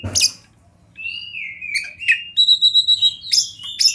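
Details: Champion kacer (Oriental magpie-robin) singing in the wild by a river and forest for masteran: a long smooth descending whistle, then a steady series of evenly spaced high pure notes and a few sharp chirps, with faint low hum.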